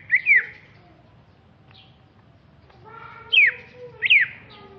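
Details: Greater green leafbird from Alas Purwo, Banyuwangi, East Java, a large bird: a loud, bright whistled note sweeping down near the start, a long pause, then two more sharp downslurred whistles close together.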